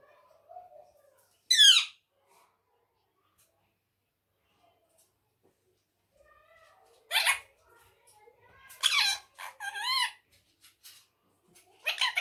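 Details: Harsh screeches from a talking ringneck parrot kept as a pet: one sharp squawk early, a long quiet stretch, then a cluster of rasping, rising-falling squawks near the end, with faint soft tones between.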